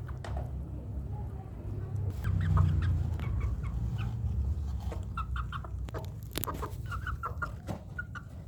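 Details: Native village chickens, two months and three weeks old, cheeping in short, bright, rising-and-falling notes that come in loose bursts, growing busier toward the end, with occasional knocks and a low background rumble.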